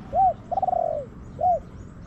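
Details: A wild spotted dove answering a decoy in a garden delivers one clear phrase: a short rounded coo, a long rolling coo sliding lower, then a final short coo, loud against a quiet background.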